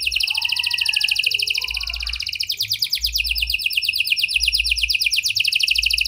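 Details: Canary singing hard in a prenjak and lovebird style to stir silent canaries into song: a continuous, dense, high rolling trill that pulses steadily for the whole stretch.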